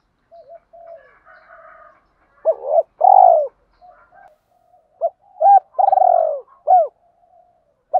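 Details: Cooing of spotted doves, male and female, played to rouse males and train decoys; deep hooked notes followed by long warbling falling coos, repeated twice, with softer background coos from other doves.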